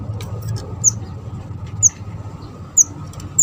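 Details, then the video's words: Java sparrow, a trapping lure bird: sparse, piercing high chips about one per second, the last ones clustered, over a droning low background. "burung mantenan kecil / jawa gacor cocok buat pancingan dan mikat"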